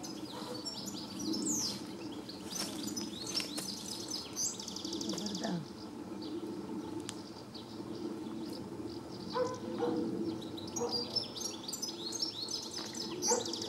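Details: European goldfinch (Carduelis carduelis) song, recorded 4 July 2014 at Planina Gornja, Croatia: a quick, tinkling twitter of high chirps and slurred notes over a steady low hum and faint voices.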